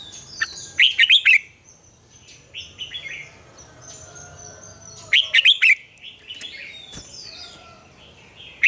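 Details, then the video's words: Red-whiskered bulbul giving a morning song in the mature wild double-note style, used to coach caged birds. Two emphatic bursts of fast chirpy notes about four seconds apart. Softer slurred calls from other birds fill the gaps. "luyện chào mào hót sáng, Ép chào mào hót âm kép già rừng hay tuyệt!"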